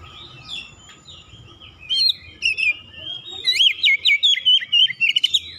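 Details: Home-kept Oriental magpie-robin answering another bird it has just heard, singing hard and unloading its learned phrases: thin twittering and whistles building into a rapid string of loud, sharp, downward-bending whistled notes.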